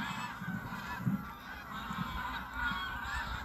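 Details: Tens of thousands of geese rising from the Burnham Norton marshes on the North Norfolk coast at sunrise, 10 September 2022; continuous layered honking from a mixed flock, with a steady low rumble beneath, captured on a phone.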